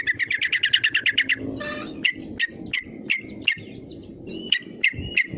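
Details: Yellow-vented bulbul calling as a lure to provoke rivals; a fast, steady series of about twelve bright notes, a brief harsh burst, then sharp single chirps at irregular intervals over background rumble.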